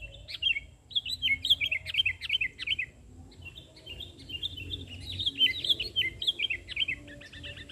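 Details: Sooty-headed bulbul singing energetically on the ground after failing to sing from a perch; rapid run of bubbly, jumpy notes in repeated phrases, steady and busy throughout, faint low background hum.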